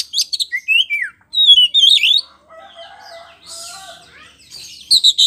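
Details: Lure song of an Oriental magpie-robin (kacer poci) to provoke other birds: loud bursts of squeaky, slurred whistles and chips, a quieter warbling passage, then sharp repeated notes.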